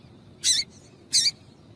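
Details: Female double-collared seedeater call for warming up males to sing: two short, harsh, high chirps about two-thirds of a second apart.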